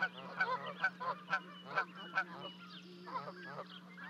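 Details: At Charlo, Montana on 12 May 2020, Canada geese call while two goslings jump off a 30-foot-high osprey nest to reach their parents; loud nasal honks come about twice a second, then quieter lower honks, with a constant hum behind.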